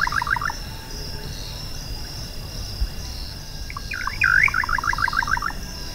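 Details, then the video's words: Little nightjar (Setopagis parvula) sings a quick bubbling run of short notes, about eight a second, with one louder swooping note, over a steady high insect hum. "Canto pássaro Bacurau-chintã"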